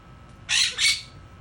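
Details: A pet monk (Quaker) parakeet singing "Happy Birthday" gives two harsh, raspy notes in quick succession, mimicking the human tune.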